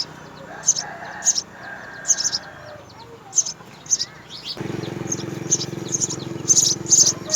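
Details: House sparrow parents feeding their three nestlings: high, scratchy chirps come in irregular pairs and bursts, with a louder continuous low hum starting midway.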